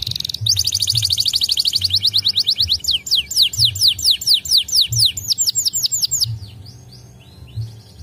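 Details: White canaries singing: begins with a fast buzzy roll, moves into evenly spaced, sharp descending whistles about three per second, then fades to soft scattered notes, low hum throughout.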